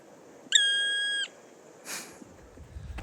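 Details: Black Woodpecker in the Pyrenees, clinging to a tree stump in recently logged forest and calling repeatedly: one drawn-out, plaintive whistled note held level for under a second, then a brief rustle and a faint click.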